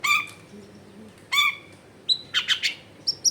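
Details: Long-tailed shrike, a lively singer recorded at home in a crowded neighbourhood and used to prompt silent shrikes to answer; three short bursts of harsh, buzzy notes with layered tones, then quick high chips near the end, separated by quiet gaps.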